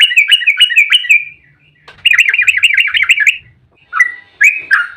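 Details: Yellow-vented bulbul in emotional fighting song, 'ropel' style, played to lure other bulbuls into answering: quick chains of looping, bubbly notes in two long runs, then a few separate whistled and buzzy notes.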